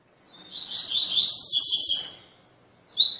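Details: Single dense phrase of rusty-collared seedeater tui tui song for training captive birds, a rapid high trill lasting about two seconds, followed by the start of another phrase.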